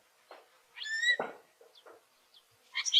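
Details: Hooded oriole (Icterus cucullatus) call: a quick jumble of nasal, slurred chirps and thin high chips over about three seconds, with soft lower notes underneath and a dove calling in the background.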